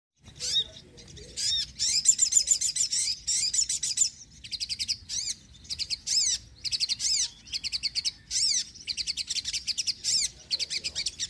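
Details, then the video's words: Sogon singing energetically in a lure recording meant to draw wild birds and stir quiet caged birds to sing; rapid bursts of high, sharp chirps and trills, repeated in quick clusters with brief pauses between. "sogon gacor penarik burung bahan & malas bunyi"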